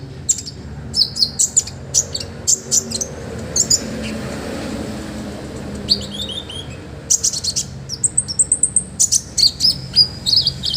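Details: Olive-backed sunbird in lively song for training other birds: quick series of high, sharp chips, a pause, then fast twittering runs and bright, slightly descending whistles.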